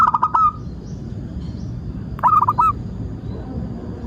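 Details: Zebra dove, local type, singing to lure others into song: a brief opening cluster of rolling coos, a long quiet gap with faint chirps, then a second short stuttered phrase.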